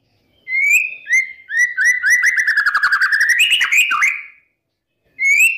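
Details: White-rumped shama, a lively morning song used as a lure to rouse contest birds: clear rising whistled notes, then a long rapid stuttering run of notes sliding down and back up, ending in a sharp upward whistle, with another whistle beginning after a pause.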